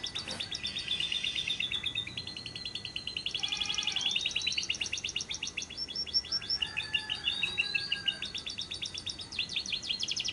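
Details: Lovebirds chatter in high, rapid trills and sharp chirps, with long rattling "ngekek" runs that rise and fall, several calling over one another; used as a lure sound to prompt other lovebirds to sing.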